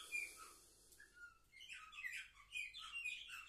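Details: Seven-month-old canaries recorded 10 November 2023, with scattered soft whistled notes building into bursts of quick, high twittering.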